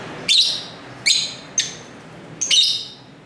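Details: Pet lovebird near a busy street giving four shrill, harsh chirps, spaced irregularly over about three seconds, the last one doubled; nothing else is heard.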